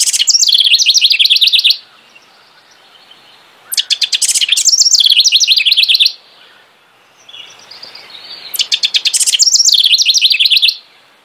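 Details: House wren (Troglodytes aedon) singing its rich, bubbly nesting-season song: three loud bursts of rapid, tumbling, chattering notes about two seconds long, separated by short quiet gaps, with a softer warble between them.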